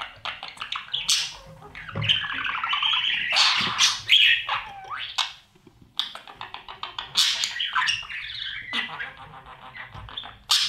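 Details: Inside a budgerigar breeding nest box, chicks beg while being fed by parents; rapid stuttering series of raspy chirps in quick bursts, pausing briefly midway before resuming.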